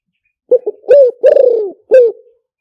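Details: A single clear spotted dove luring phrase: two short hooting notes, a mellow coo, an extended falling coo with slight tremolo, then a brief concluding coo, all in a quiet setting.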